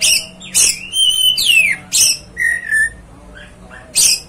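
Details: Kept Oriental magpie-robin singing loud, varied phrases: harsh rasping bursts alternate with clear slurred whistles rising and falling, several notes per second with short pauses.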